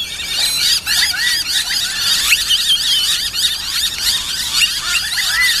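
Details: Noisy miners at Corso reserve, Brisbane, 29 August 2012, responding to an owl model with a dense, harsh chorus of overlapping scolding chatters and squeaky notes, kept up without a break as several birds call together.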